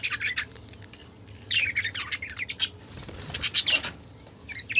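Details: A clamour of colourful budgerigars: scattered scratchy chirps and short warbling bursts, a fluttery rustle in the middle, and a low hum throughout.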